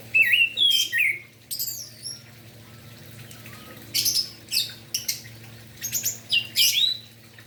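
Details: Morning song of an orange-headed thrush, meant to stimulate reluctant thrushes into singing: quick sequences of sweet whistles and sharp high chips in several clusters, with a constant low background hum.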